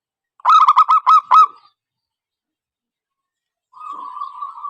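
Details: Zebra dove lure call for trapping: a brief run of about six quick, clipped cooing notes, then silence and a faint, even sustained tone.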